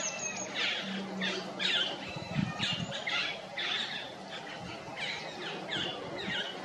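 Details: Stripe-throated yuhina on a forest tree in Jabberkhet, Mussoorie, giving a quick series of bright, high chirps roughly twice per second, fairly even in loudness, against low background rumble.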